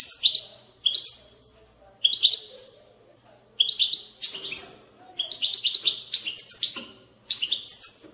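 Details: European goldfinch in batbata song, meant to set goldfinches singing: lively repeated phrases of sharp high chirps and ringing held notes, growing denser and more twittering toward the end.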